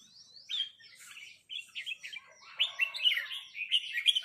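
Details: Red-whiskered bulbuls call back and forth with a resident territorial bird. A quick upslurred whistle opens, then choppy, bright chirps run together and build in loudness toward the end.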